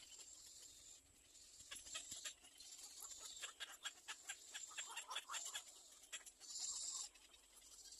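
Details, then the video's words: Young little egret begging food from its mother: after a quiet start, bursts of quick, harsh clicking chatter run for several seconds, then fade, followed by a short hissy rush near the end. "Little egr bird wants to bite its mother for food"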